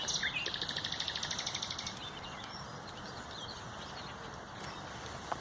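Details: Common nightingale singing on 30 April 2021, opening with a whistled note and then a fast, even series of about twenty buzzy pulses lasting over a second, followed by quiet background with faint distant chirps.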